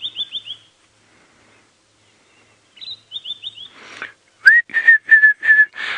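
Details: White-browed Scrub Robin calling from the edge of a thicket, sitting openly, on a sunset safari drive at 5:30 PM on 26 Nov 2016: four high falling whistles, repeated, then five loud, rich, even whistles.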